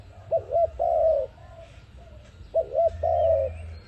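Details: Trapping-lure dove call given twice: two quick rounded coos and a longer quavering, gently falling coo, separated by a short pause with a soft fainter coo and low hum.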